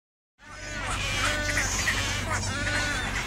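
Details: Wood stork chicks, now visible and loud, at a roost at the Jacksonville Zoo give a continuous chorus of nasal, bleating calls, many overlapping, over a steady low hum.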